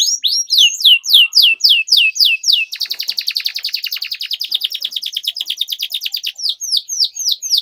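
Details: Long lively canary song for teaching young birds: a regular series of clear descending whistles, then an extended fast, rattling trill lasting several seconds, closing with more downslurred notes.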